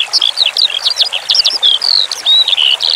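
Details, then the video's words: Eurasian skylark (branjangan) song for bird training over a water background: quick, clear high phrases of chirps and short whistles, ending in longer drawn-out buzzy notes. "Masteran Suara Branjangan Sky Lark"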